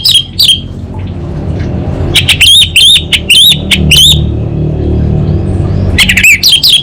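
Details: Caged orange-headed thrush from North Bali, Singaraja, singing gacor in the 'kabel konslet' style: bursts of sharp, wavering high chirps repeated in quick clusters, with steady low traffic rumble underneath.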